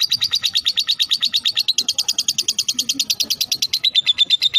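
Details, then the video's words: Fighter lovebird's long ngekek trill, offered as a lure to prompt lovebirds to sing: fast, even, high-pitched chattering notes, roughly six a second, run without pause and end on a thinner whistled note. "Suara Lovebird ini JOSS Buat Pancingan Buat Lovebird Agar Cepat Ngekek"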